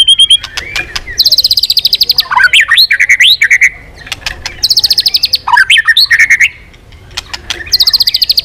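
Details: White-rumped shama, stimulated to sing intensely and flicking its tail, alternating bursts of very high, fast, buzzy trills with lower swooping, looping whistles. The cycle repeats about three times.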